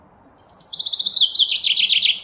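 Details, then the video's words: Common chaffinch singing: a few faint high notes at first, then a loud, fast run of repeated bright notes that descend and rattle on toward a final flourish, with no other clear sounds. "Common chaffinch song"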